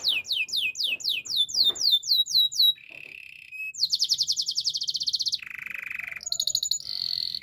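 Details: Belgian canary in full training song: repeated swooping whistles, a short buzzy note, then a dense high rattle, a lower steady roll and further trilled tours.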